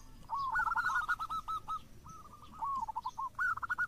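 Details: Actively singing local zebra dove delivering rapid runs of clipped, slightly rising cooing notes in three bursts, over a faint background hiss.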